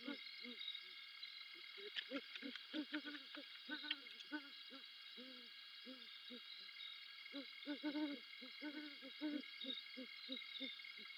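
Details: Great horned owl pair at night in December, female perched on a fairway branch, male answering before they mate; many short low hoots in rapid overlapping runs, partners trading phrases, faint clicks and constant high hiss behind.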